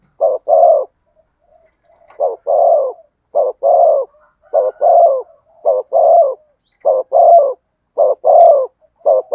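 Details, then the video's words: Spotted dove in 'thổ sấm' voice: paired deep coos, a brief note then a drawn-out one, repeated steadily after a two-second pause, with faint soft murmurs between phrases and a quiet setting. "cu gáy thúc gù giọng THỔ SẤM chuẩn nhất/ the cuckoo sings beautifully"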